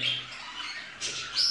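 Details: Indoor budgerigars from a breeding pair of the Rainbow variety give a short burst of raspy, high chatter ending in a sharp squeaky note.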